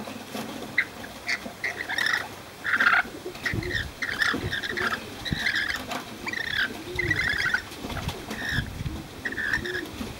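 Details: Several free-flying, befriended Rainbow lorikeets in Cromer, Sydney, call with harsh, grating screeches and squeaky chips in rapid, uneven runs, with thumps and rustles from people close by.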